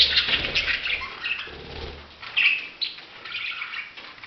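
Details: Budgerigar chatter of quick scratchy chirps and warbles over soft fluttering wing sounds, with a louder chirp in the middle.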